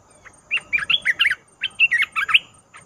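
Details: Red-whiskered bulbul lure recording used for trapping, from a young decoy bird now fully feathered, taken to the forest for the first time; quick bubbly chirping phrases of short warbled notes in two bursts, clear and loud.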